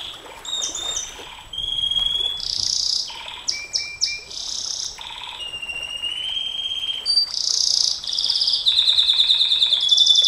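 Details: Canary singing the 'nembak panjang' (long-burst) style, meant for tutoring and prompting other canaries: loud, varied high song of pure whistles, buzzy bursts and fast rattling trills, with sustained notes and rapidly repeated phrases. No other sounds.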